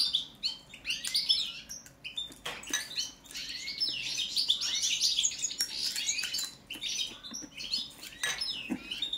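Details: Song check of a European goldfinch, subspecies balcanica, giving a long, continuous, rapid twittering song of liquid chirps, trills and buzzy notes, with scattered sharp clicks throughout.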